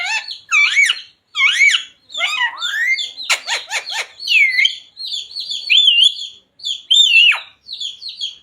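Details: Talking parrot copying phrases such as jai shree ram and sita ram; arched whistled word-like notes, a quick series of sharp clicks, then drawn-out wavering whistles.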